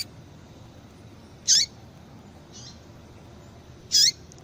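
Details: Female papa-capim (seedeater) calling repeatedly, used to stimulate singing in a cold male; two short, high, squeaky chip notes about two and a half seconds apart over faint steady hiss.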